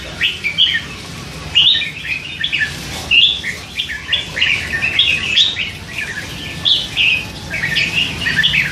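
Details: Red-whiskered bulbul, hand-reared and three months old, chattering in its cage: rapid sequences of chirps and slurred whistles in clustered phrases, some notes sharply rising, continuing steadily with short gaps.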